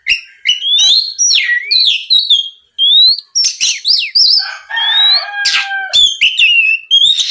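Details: Rival-provoking Oriental magpie-robin lure song: bursts of high chirps, rising whistles and a drawn-out buzzy phrase, with scratchy notes and a short pause in between.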